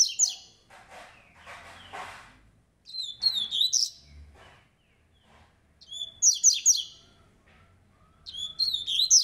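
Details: Coleiro seedeater, fast and strong, singing "rei negro" style: short bright twittering phrases of high chips and whistles burst out every two to three seconds, separated by rustling and knocking noises.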